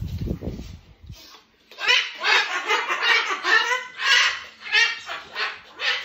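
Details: Two pet cockatoos calling together in a duet before bed: after a brief low thumping, harsh raspy screeches start near the two-second mark and repeat in rough bursts, each burst loud and grating.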